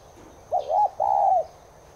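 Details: Spotted dove (Streptopelia chinensis tigrina) cooing, used as playback to get caged doves cooing along: a short doubled hooting coo, then one long, level, drawn-out coo that slides slightly down at the end, over a quiet background.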